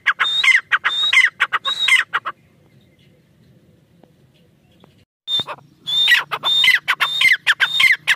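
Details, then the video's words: Female black francolin (teetar) calling: loud, rapid series of harsh notes, each with a high steady whistle dropping to a lower slur, about two a second, broken by a three-second quiet gap with faint low hum, then resuming. "female tertar awaz"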